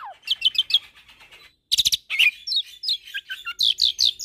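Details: Asian pied starling (jalak suren) in a tutoring mix with Nias myna and Nias x suren hybrid song: rapid high chirps and short downslurred whistles in bursts, with a brief pause near the middle.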